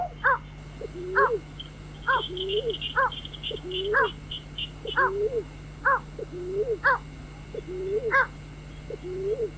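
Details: Lure recording for night trapping with a white-breasted waterhen: low bent groans and harsh stacked squawks alternate in a steady rhythm, about one pair per second, with soft high twittering early on and a steady hum.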